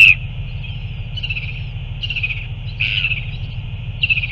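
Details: Northern royal albatross during a feeding on 9 February 2024: a sharp squeak opens, then four or five soft, slurred, high-pitched calls at uneven intervals, over a constant low rumble of wind.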